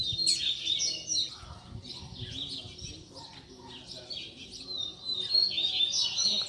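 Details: Coleiro, or Double-collared seedeater, singing a tutor song for young birds to learn: a continuous run of high, rapid chirps, slurred whistles and buzzy trills, loudest near the start and end, with little background noise.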